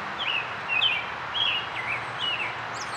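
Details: American robin singing early on a spring morning, April 12, 2010, at Rosetta McClain Gardens in Toronto, Ontario, Canada: short, warbled, slurred phrases in quick succession over a steady background hiss.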